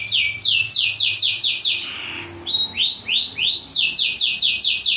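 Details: Model song of a black-throated canary for teaching canaries: rapid runs of high downward-sweeping notes repeated about four per second, a short softer break, then rising slurred notes and another fast descending series.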